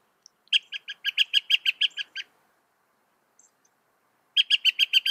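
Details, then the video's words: Northern mockingbird, a bird said to copy some 200 sounds, singing a fast run of sharp repeated chirps about five per second for nearly two seconds, then a pause and a fresh burst of the same notes. "Masteran suara burung NORTHERN MOCKINGBIRE bisa merekam 200 suara"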